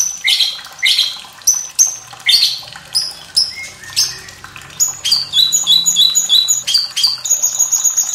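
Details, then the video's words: White-rumped shama with a sharp, fiery song style, used as master audio to train young and reluctant birds to sing, paired with trickling water. Loud, piercing high notes come about once a second, then a rapid run of short chirps. "MURAI BATU SUARA PEDAS"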